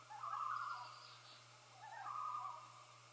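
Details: Two wavering, quavering loon phrases, separated by a short gap and set against a faint background hum. Common loons, dated 6 5 13, are announcing that their first chick has hatched.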